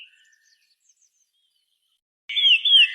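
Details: Birds chirping from treetops in the late afternoon toward dusk: faint high chirps at the start give way, after a near-silent stretch, to a loud burst of rapid, sliding, high-pitched chirping.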